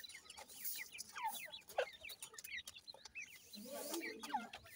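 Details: Soft, scattered peeps of grey francolin chicks, high sliding notes in ones and twos, with a low droning sound near the end and hissy background.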